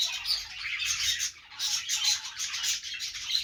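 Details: Happy budgies produce a rapid run of raspy chatter and thin high chirps, with a short lull in the middle before the noisy warbling picks up again.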